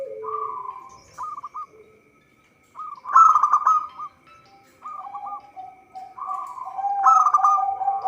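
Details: Vigorous song of a local zebra dove, suited as a lure for trapping. Groups of quick clipped coos alternate with loud rolling bursts, and a lower sustained cooing tone runs beneath the later phrases.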